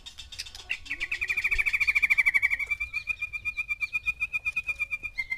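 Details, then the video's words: Male white-rumped shama kept with six females, song to stir mating: a long fast trill of rapidly repeated notes gradually settling into an even whistled pulse, roughly three notes per second. "MANCING BIRAHI 6 MURAI BATU BETINA DENGAN 1 JANTAN"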